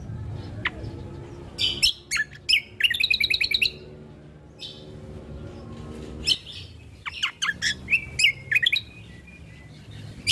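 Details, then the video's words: Ruby-throated bulbul song, meant as a lure and a training tutor for other birds. Bright chattering phrases of rapid high chirps and trilled notes come in bursts separated by short pauses, with a low hum underneath. "Pancingan Burung Dengan Suara Asli Burung Cucak Kombo | MAsteran Burung Cucak Kombo"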